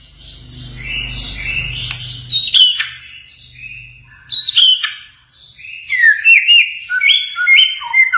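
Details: White-rumped shama song mixing mimicked cililin, canary, konin and katem phrases, used as training audio for pet birds: varied clear whistles and sliding notes, sparse at first, then a busy run of quick rising and falling whistles, over a low hum.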